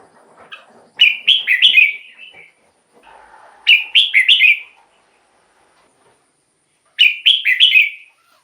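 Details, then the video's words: Song of a red-whiskered bulbul used as a decoy or to excite caged birds: three cheerful warbled phrases of rapid rolling whistles, several seconds apart. Muffled low rustling comes before the first phrase and between the first two. "เสียงนกกรงหัวจุก สำหรับต่อ หรือ เปิดให้นกคึก เสียงเพราะๆ"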